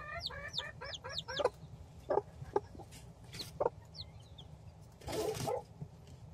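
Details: Four one-day-old Silkie chicks, hatched by their mother hen, peep while eating: a quick series of high, downslurred cheeps early on, then low clucking knocks and pecking taps, with a steady low hum underneath.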